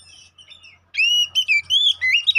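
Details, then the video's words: Oriental magpie-robin (kacer poci), a caged songbird whose song is played as a lure to make other males fired up and fight-ready: faint thin notes, then a loud run of clear, sliding whistles with sharp rising and falling phrases. "Pancingan Burung Kacer Poci agar Cepat EMOSI, GACOR ON KONSLET"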